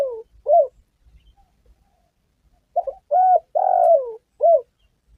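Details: Spotted dove call for luring during trapping and hunting: the tail of one phrase with a short coo, then a full phrase of stuttered note, level coo, long falling coo and a short final coo.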